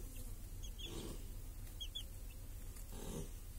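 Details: Hens and chicks grazing under a protective cage in a village on a clear summer day: a few faint, high, down-slurred chick peeps and two soft low hen cluck bursts over steady low rumble.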